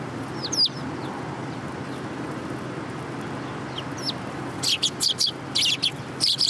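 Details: City sparrows gathering to be fed, recorded 30 November 2015: a few thin high chirps early, then a burst of loud, clustered chirping toward the end over constant low urban hum.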